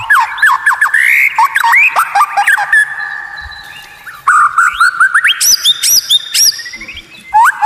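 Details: Training recording of white-rumped shama with a strange, rare song meant to provoke rivals: quick downslurred whistles and chips, a brief lull, then a burst of high upswept notes and ringing whistles.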